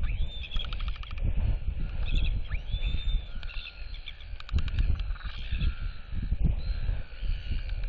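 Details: Royal albatross female displaying and whistling to nearby chicks, turning her head side to side while neighbouring albatrosses clack at her; thin arching whistles and bursts of rapid clacking ride faintly above heavy, constant wind rumble.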